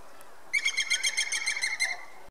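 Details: Levaillant's woodpecker giving a rapid series of about a dozen loud, nasal, evenly spaced notes lasting over a second, over a steady background hiss.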